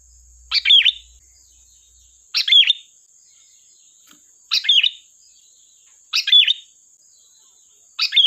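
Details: Sharp, lively song of a sooty-headed bulbul, used as a lure: a brief bubbling phrase of quick fluty notes repeated every couple of seconds, with a faint steady high tone throughout.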